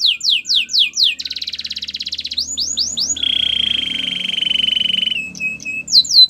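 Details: White canary singing: rapid series of descending sweeping whistles, then a buzzy trilled roll, more sweeps, and a long, even, high rolling trill before short clipped notes and a final sweep.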